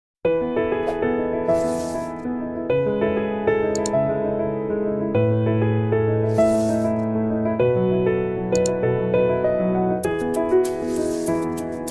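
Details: Steady electric piano music playing chords, with no animal sounds.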